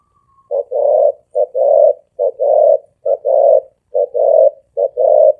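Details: Spotted dove cooing at high speed, 'thổ ồm vang' voice. Six quick short-long coo pairs follow evenly at low pitch, each phrase under a second. The background is otherwise quiet.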